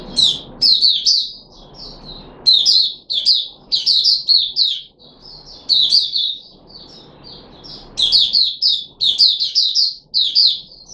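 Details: Red-whiskered bulbul in captivity, named Puteh Raja, on 13 April 2021 after fruit juice, one mealworm and a supplement; energetic, repeated bursts of tumbling whistled notes with short gaps, sustained throughout.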